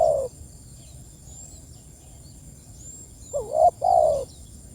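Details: Spotted dove calling companions: the tail of one coo, then after a pause a full low phrase, a short hoarse note followed by a longer throaty coo, against faint background hiss.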